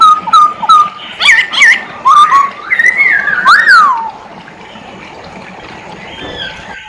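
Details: Masked laughingthrush song: short whistled notes, then a loud twisting, warbling phrase with rising and falling slurs, ending abruptly into near silence with a faint background hiss.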